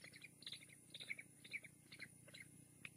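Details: On a live nest cam at Fraser Point, bald eagle chicks call while being fed and tugging food between them: quick, high peeping chirps repeated irregularly, several per second, faint against constant low noise.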